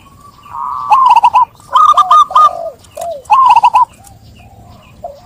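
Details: Zebra dove song: a series of loud, bright, bubbling cooing notes in quick rolling bursts, broken by short pauses, with a quiet background.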